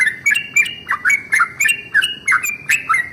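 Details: Yellow-vented bulbul giving its 'ropel panjang' long rolling morning song to set other bulbuls singing; quick bright chattered notes, each dipping then jumping, delivered about three per second.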